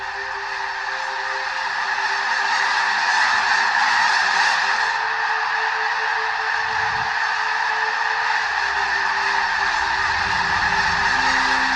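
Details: Tens of thousands of snow geese arriving on spring migration at prairie ponds in southern Alberta, stopping to feed and rest before heading to the Arctic, fill the air with a dense, continuous roar of high, nasal honks and yelps without pause.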